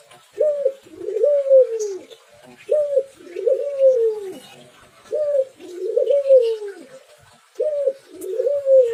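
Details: Spotted dove cooing with an unusual two-part phrase: a short hooted note followed by a longer, rolling coo falling in pitch, the pair repeated about every two and a half seconds, four times.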